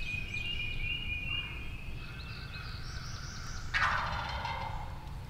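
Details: Wild turkey gobbler on opening day of the 2023 spring hunting season in Tennessee, one loud rattling gobble bursting out near the end, with thin whistled songs of other birds running beforehand.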